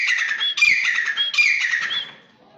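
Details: Grey francolin, known locally as desi teetar, giving loud, harsh, ringing phrases in three quick bursts, each closing with a brief whistled upslur, then fading to quiet.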